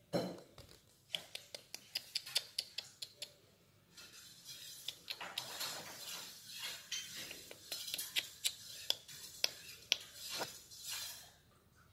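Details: Indoor clinking of dishes and cutlery with sharp metallic taps and faint speech, with no animal sound.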